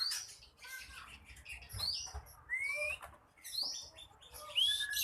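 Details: Ekor pendek contest bird singing fiercely to push rivals into fighting. High squeaky notes alternate with clear upward-sliding whistles, set against background noise.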